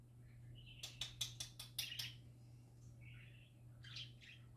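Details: Pet parakeets in happy song: a quick series of sharp clicking ticks, then soft warbled chirps, over a steady low hum.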